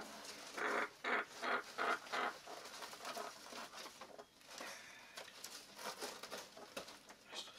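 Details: Eight-week-old African grey parrot chick being fed, giving a rapid run of about five hoarse, pulsing begging squawks in two seconds, then softer scratchy sounds and clicks from feeding.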